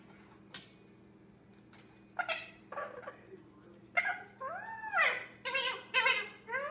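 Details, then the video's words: Young 10-month-old male Indian ringneck parakeet, kept indoors, playing by himself and practising talk and noises: scattered short clicks, then rising-falling harmonic whistles and squawky babbled phrases growing louder toward the end. "Cute baby parrot entertaining himself by talking and playing"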